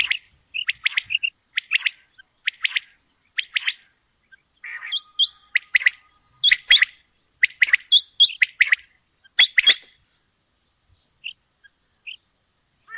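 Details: Calls of a female common quail: short crisp notes in tight clusters of two to four, delivered in an uneven series for about ten seconds, then a few faint isolated notes against a quiet background.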